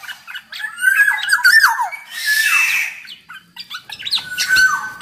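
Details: Black-naped oriole song, used as a lure to get other orioles singing: fluty slurred whistles around mid pitch, some rising and falling, mixed with harsher rasping bursts and short chirps.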